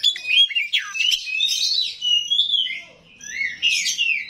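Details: Kacer rawit (oriental magpie-robin) with rough song material delivers rapid high chirps, falling whistles and scratchy notes in short bursts, with one brief lull near the end.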